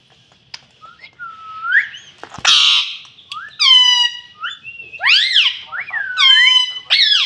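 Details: Rose-ringed parakeet kept as a pet and taught to say "mummy": a rough noisy squawk, then a run of steep arched, overtone-rich syllables in quick uneven succession.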